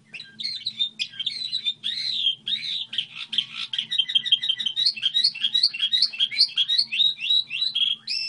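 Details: A goldfinch hybrid delivers a long, unbroken model song, rapid high twitters, trills and tinkling notes rolling continuously for over eight seconds with a low steady hum beneath.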